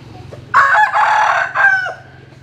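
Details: A rooster crows loudly at first light as chickens bask in the morning sun: a single harsh crow bursts in, holds steady, then ends in a rising, then falling final note, leaving quiet behind.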